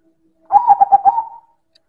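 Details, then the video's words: One strong coo from a silver perkutut, or zebra dove: a brief string of five pulsed notes running into a sustained tail. "Suara Perkutut Silver - Manggung Keras dan Istimewa"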